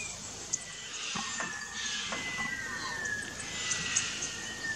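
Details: White-winged choughs in an Australian backyard garden, a territorial, highly social species living in flocks. Long, thin whistles slide slowly downward, overlapping one another, over a soft rustling background with a few faint clicks.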